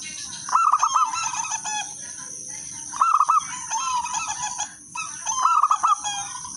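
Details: Zebra dove song meant to set other doves singing: three loud, bouncy coo phrases about two and a half seconds apart, each of rapid rolled notes. Fainter doves chatter between them over a steady high hum.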